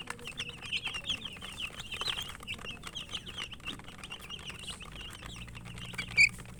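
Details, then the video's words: Chicken chicks chirping while eating; a steady stream of thin high peeping notes from several birds, with pecking taps and a low background hum. "Murgi chicks Chirping sounds and eating"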